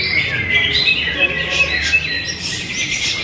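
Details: Cucak hijau giving clear, short whistled notes repeated nearly three times a second over a bed of faint twittering, high-pitched and evenly loud.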